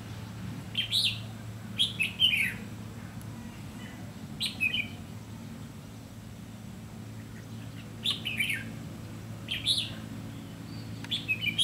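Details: Red-whiskered bulbul during trapping with a decoy bird, described as a lăng săng ché-cánh bird; short bursts of bright warbled phrases in the middle to high range, repeated every one to three seconds, over a steady low hum.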